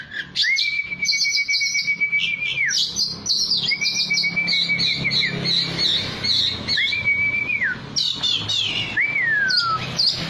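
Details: Oriental magpie-robin song used to goad a kept bird into replying fiercely: three long, even whistles each ending in a drop, with busy high twittering overlaid, then a falling slurred whistle.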